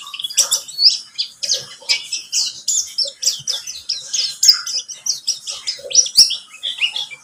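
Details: Lure song of a buxtomi white-eye, used to draw other birds into song: busy high twitters and clipped chirps in quick bursts, about forty phrases a minute, with faint lower notes underneath.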